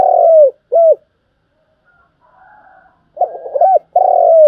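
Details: Spotted dove coos used as a trapping lure: a long falling coo and short arched note, a faint murmur in the gap, then a new phrase of burbles, an arched coo and a long coo.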